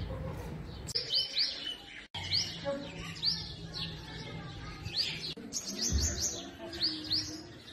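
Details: Hanging-nest sunbird feeding and protecting its babies: quick series of sharp, high upslurred chirps, in bursts of three to five with short pauses, alongside faint voices and low rumbling.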